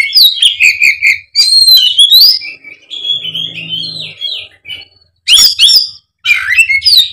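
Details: Oriental magpie-robin in fighting mode: loud, high whistled phrases with rapid trills and sharp downward sweeps, broken by pauses, then bursts of harsh, scratchy notes, with a faint low hum between phrases.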